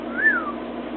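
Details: Caged pet cockatiel on top of its cage whistling: a single smooth whistled note that rises, holds briefly and slides back down over about half a second, against a steady low hum.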